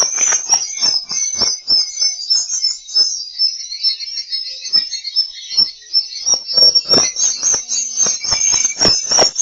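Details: Swiftlet calls played as a lure to draw birds to roost in a swiftlet house: a dense, continuous chorus of high, rapid chirps and twitters, with sharp clicking bursts scattered throughout.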